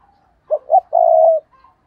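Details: A single 'gù cà lăm' phrase from a spotted dove decoy bird meant to provoke rivals: two short clipped notes, then one long, steady, resonant coo.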